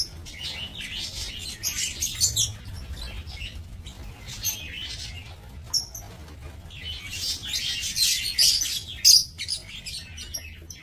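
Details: Breeding lovebirds in an aviary cage, 22 November 2024: dense, shrill chattering and high squeaky chirps from several birds, louder clusters near the end, over a faint low hum.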